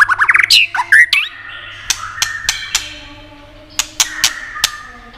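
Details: White-rumped shama song for exciting other shamas: an opening fast buzzy trill and twisting whistles, then quieter held tones with several sharp isolated clicks.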